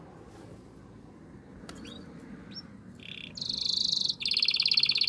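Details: Canary singing strongly to stimulate the female to mate; quiet background for three seconds with a few faint chirps, then loud buzzy trills at high pitch, a brief pause, and another rapid rattling trill.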